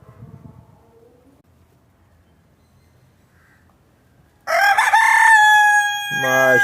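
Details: Chicken crowing after several seconds of near silence with faint background murmur; the loud, steady, strained crow begins suddenly and holds through to the end with a brief wavering dip.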